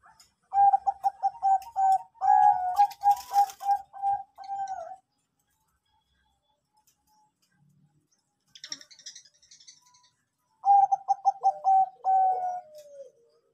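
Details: Lure song of a Bangkok zebra dove for coaxing birds to sing: a fast series of bubbling, repeated coo notes, a long silence with faint scratchy noise, then a fresh stuttering phrase that trails off downward.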